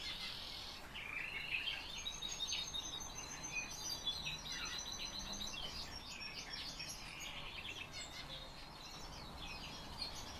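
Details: A kept black lark sings a fast, continuous jumble of high twittering, chirping and scratchy phrases, with a soft steady hiss of background noise.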